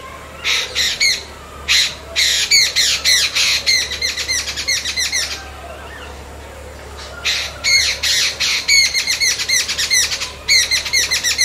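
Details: Harsh chattering of jungle babbler, called ছাতাড়ে in Bengali, in dense bursts of rapid squawky notes, several per second, with a quiet gap midway before the loud babbling resumes.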